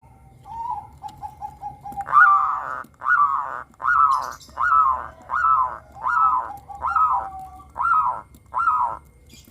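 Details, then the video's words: Local zebra dove in full, frequent song with a clear 'crystal' voice, used as a lure to get captive doves singing: nine evenly spaced, warbling cooed notes roughly every second after a softer opening, low hum beneath. "perkutut lokal gacor suara kristal - pancingan perkutut agar bunyi"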